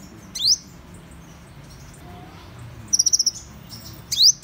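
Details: Van Hasselt's sunbird giving sparse high notes: a rising swept whistle, a brief rapid trill of ticks, then another rising sweep, with long quiet gaps.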